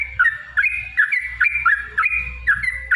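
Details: Yellow-vented bulbul singing in a fighting, emotional gacor style meant to lure rivals: short liquid phrases of two or three slurred, bouncing notes repeated about every half second over low background hum.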